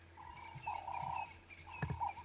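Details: At sunrise on a morning safari drive, a ring-necked dove perched overhead calls with its throat puffing out, giving mellow, drawn-out cooing notes in two phrases after a short pause, over a low vehicle engine rumble with a brief knock.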